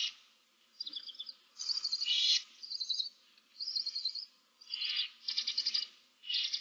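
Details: Seven barn owl owlets in a nest box, March 2024, produce overlapping rasping hisses and rapid quavering trills nearly without pause, with soft low rustles beneath.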